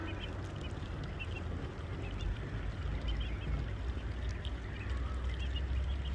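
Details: Several brief, high chick-like peeps from small ducklings come in loose clusters every second or so, partly masked by heavy low-pitched rumble.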